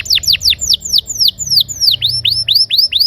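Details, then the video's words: Canary song used to coax silent canaries into singing: a steady series of loud, swooping whistled notes, about four each second, first falling, then rising toward the end. "Pancingan suara burung kenari gacor ngeroll..!! cocok untuk kenari macet agar mau bunyi"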